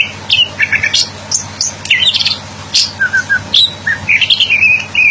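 Greater green leafbird singing a lively, varied string of sweet whistles, slurred chirps and quick trills, each note different, over a faint low hum.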